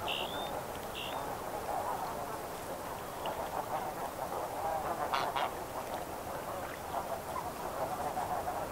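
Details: Medium-distance Snow Goose flock in flight, giving steady overlapping honking chatter throughout, with two short whistled notes from another bird near the start.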